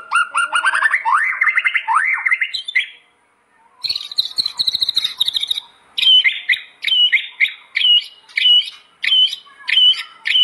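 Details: Energetic white-rumped shama song for tutoring other shamas: a series of fast rising whistled sweeps, a short silence, a high buzzy trill, then a crisp, arched whistle repeated about twice each second.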